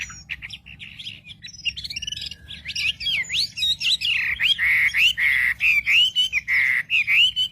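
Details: Wambi song for provoking other wambi: starts with quieter mixed chirps, then settles into loud repeated whistled phrases that swoop up and down, roughly twice a second, over a low steady hum.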